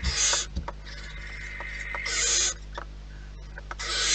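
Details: Barn owls in a nest give loud, breathy hissing screeches at the start, middle and end, with faint rasping and scratching sounds in between. A low electrical hum continues throughout.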